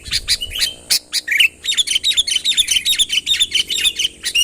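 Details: Sooty-headed bulbul calling a rival to come closer, recorded plain with no added birds: after a few scattered chirps, a fast, steady stream of clipped, metallic notes follows, about two or three per second, bright and chattering.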